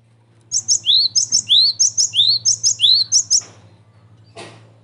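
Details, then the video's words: Cinereous tit lure call used to draw wild birds and tutor song: quick run of thin, high double notes alternating with lower rising whistles for about three seconds over a low steady hum and one click. "SUARA GELATIK BATU PIKAT"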